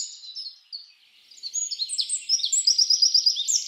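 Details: Wren song for bird training: high, thin chirps begin faintly, then build after a brief pause into a loud, fast string of sharp twittering notes and buzzy trills, with no low sounds present.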